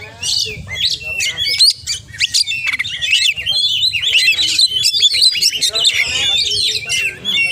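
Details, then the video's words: Oriental magpie-robin delivering a varied full-isian song, fast bursts of piercing whistles, twisting slurs and scratchy notes running almost nonstop, accompanied by a faint low rhythmic music track. "Kacer Gacor Full Isian"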